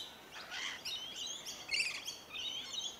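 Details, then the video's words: Feeding rainbow lorikeets on tree violet berries, Melbourne, January 2021: a short stretch of overlapping grating screeches and buzzy, slurred squeals from several birds at once. "Rainbow Lorikeets feeding on tree violet berries"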